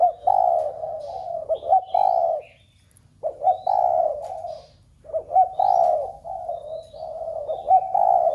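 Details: Spotted dove cooing to stimulate other doves kept at home: three long, low, throaty coo phrases, each roughly two seconds, separated by short silences, with faint high chirps in the background.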